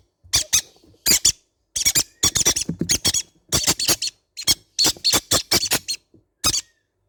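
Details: Indoor recording of baby green-cheeked conure parrots producing a busy series of rough, buzzy screeches in rapid groups of two to four, with short pauses between groups.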